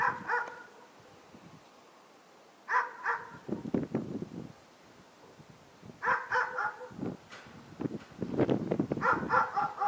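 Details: Fieldfare calling in late winter, with repeated short bursts of quick, grating chatter, three to five notes each, alternating with low rustling and crunching noises close by.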